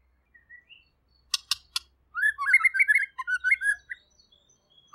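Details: White-rumped shama, murai pastor type, described as chatty and clear, offers soft whistles and three sharp clicks before a rapid tumbling phrase of varied whistled notes.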